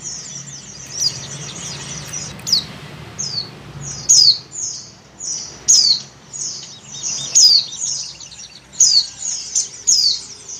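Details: Breeding-condition female Oriental white-eye calling for a male: a steady series of sharp, high, downward-slurred chirps roughly every one to one and a half seconds, with thin twittering between and a low background drone.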